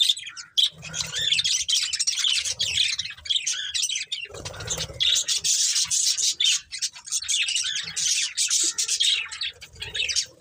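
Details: Budgerigars, a pet breeding pair, producing sustained rapid warbling chatter with scratchy high chirps throughout, interrupted by brief dips and a soft low rustle.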